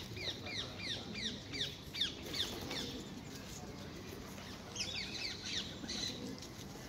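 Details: Wild ringneck parakeets at a well-known feeding spot in Hyde Park, London, squabbling over apples among several birds; a run of harsh, downslurred screeches repeated quickly for about two and a half seconds, then more later, over low park background noise.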